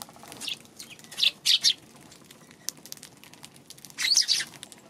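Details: Eurasian tree sparrow recorded on 2 March, giving a few high, harsh chirps: a close pair of notes after the first second and another short burst toward the end, with soft background rustle between.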